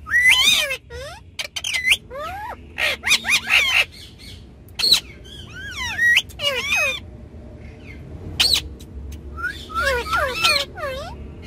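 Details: Pet ringneck parrots on a car back seat send out clusters of loud, down-curving squawks with gaps between groups, and a low rumble throughout.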